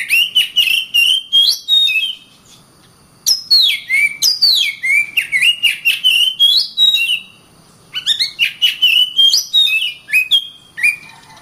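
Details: Oriental magpie-robin singing for use in training other birds: three dense bursts of varied whistles, downward swoops, clicks and chatters separated by short silences.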